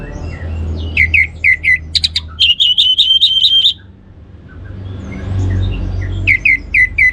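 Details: Stimulating song of an orange-headed thrush: sharp repeated chips, then a fast trilled series of ringing whistles for about a second, a pause with low background rumble, and a further run of quick chips.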